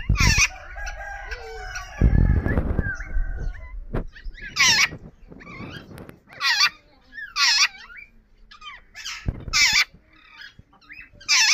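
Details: Pet yellow rose-ringed parakeet giving loud, harsh squawks, repeated every one to two seconds. A dense noise burst comes early, with faint chattering between the calls.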